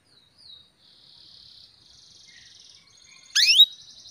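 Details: Female canary calling a male to stimulate his song: faint, thin, wavering high notes and a soft buzzy stretch, ending in one loud, bright, rising sweep with a brief trill.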